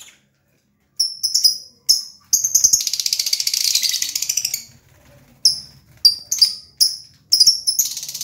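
A lovebird gives shrill, high chirps in quick bursts, with a stretch of dense, buzzy chattering in the middle. No other sounds stand out.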